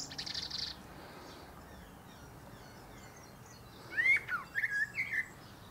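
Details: Common blackbird perched atop a pear tree. A brief high squeak opens, followed by quiet, and then a short mellow warbled phrase breaking into scratchy high notes near the end.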